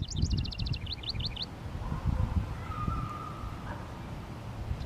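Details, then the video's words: A male House Wren sings to mark its territory around a honeysuckle-covered fence and bushes in a park on a sunny 19 °C Mother's Day: a quick, bubbly burst of rapid chattering notes over steady low wind rumble; a faint whistle follows. "House Wren Singing, Thus Marking Its Territory Too"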